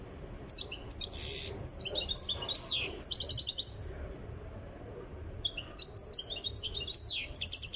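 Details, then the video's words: European goldfinch from Tiaret, Algeria, being trained to sing and nearing readiness, giving bursts of high, tinkling twitters and rapid buzzy trills in short phrases separated by brief pauses, with a faint low background hum. "تغريد مقنين تيارت (في طريقه إلى الجهوزية)"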